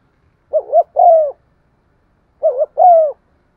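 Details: Caged lure spotted dove cooing to provoke other doves: two identical low phrases about two seconds apart, each a quick wavering double coo followed by a longer, drawn-out falling coo, with a quiet background.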